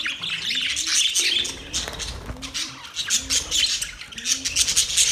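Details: Cheerful budgie chirping: bursts of high twittering and scratchy squawks rise and fall, with faint low rising calls recurring in the background.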